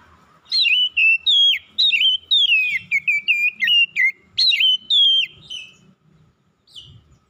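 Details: Oriental magpie-robin in morning song, a lively string of sweet whistled notes, some swooping down, others flicking up, about a dozen in five seconds, ending with one distant note and low rustling.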